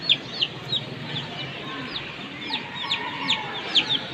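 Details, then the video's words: Peeping from one-month-old chicks hatched by a Comet hen, three chicks at play: bright falling cheeps at irregular intervals, some softer and farther, over low background murmur. "Chicks Making Sweet Noises And Playing"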